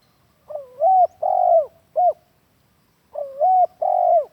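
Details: Spotted dove lure call, used as a master sound for training captive doves at home: a low cooing phrase of several notes, a pause, then the phrase repeated, in a quiet setting.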